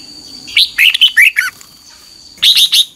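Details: Bulbul morning song from a 2021 training session, red-whiskered: a phrase of five clear, slurred notes dropping in pitch, a pause, then three higher, quicker notes; faint steady high tone behind.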